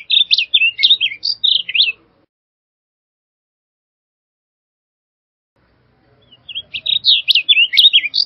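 Blue grosbeak giving two rich, warbling phrases of quick, jumbled notes, each about two seconds long, separated by a pause; nothing else is heard.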